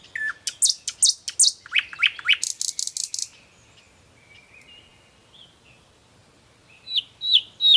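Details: Nightingale delivers a fast series of loud repeated notes and a harsh rattle, then a drawn-out quiet whistle, and a few sharp high notes at the end.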